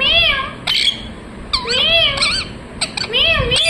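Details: A parrot gives wavering, bending chirps, rising and falling notes in quick phrases with brief pauses between them.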